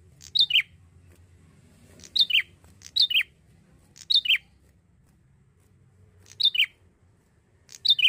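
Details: Young male Bar-winged prinia, Indonesia, used as a lure: a run of sharp double chirps, each sliding down in pitch. They come in close pairs separated by short gaps, with low hum underneath.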